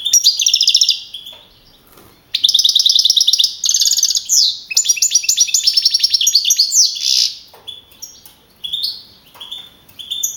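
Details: Young male European goldfinch that won a singing contest at Navalcarnero, Madrid, with 42 points in April 2012. Long runs of fast buzzy trills and jangling twitters, then sparser short chirps.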